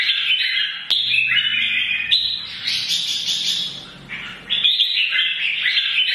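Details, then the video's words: Red-whiskered bulbul, an adult caught from the wild, singing its morning combat song to rouse rival birds; dense, scratchy warbling and whistled chatter run almost nonstop, with a sharp click near the first second and a brief dip before resuming. "CHÀO MÀO | Già rừng hót sáng hót đấu kích chim - kích ché"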